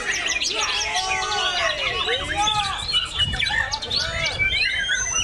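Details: White-rumped shama singing during a bowing display: a dense, fast run of varied whistles, chirps and sweeping trills, with people talking and other birds audible behind it.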